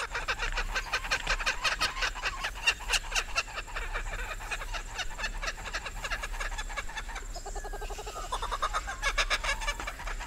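A Laughing Kookaburra gives a fast, harsh, rattling cackle of closely packed notes that runs without pause, with a few throaty chuckling phrases near the end.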